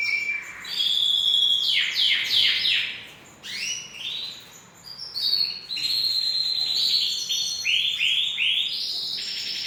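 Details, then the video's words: Singing canary delivering a varied high song, with clusters of descending sweeps, a brief quieter pause, then long rolling trills of repeated arched notes. "Super canary singing and breeding video ever"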